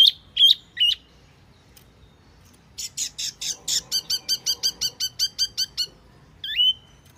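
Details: Wambi Mini lure call: three sharp hooked chirps, a short silence, then a long run of fast, harsh, buzzy notes, ending with one loud upslurred chirp.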